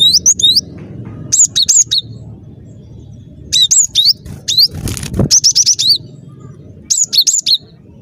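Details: Cinereous tit in full song, a lure for trapping: repeated short phrases of high, looping and clipped whistles, with one brief rustling thump midway and steady low background noise.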